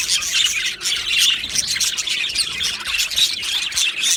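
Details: Crowded aviary of Australian budgies chattering without pause: high, buzzy warbles and quick chirps from many birds, with occasional harsher squawks.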